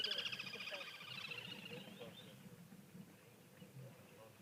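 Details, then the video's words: Little grebes resident on a waterhole give a shrill, rapid whinnying trill that falls slightly and fades over about two seconds, recorded 31 August 2023, with a man speaking quietly underneath. "You can hear the little shrill call of the little grebes that are resident on the water."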